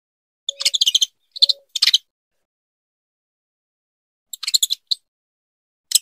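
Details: Breeding call of a female saffron finch to her mate: clusters of quick harsh chattering notes in two groups separated by a few seconds of quiet.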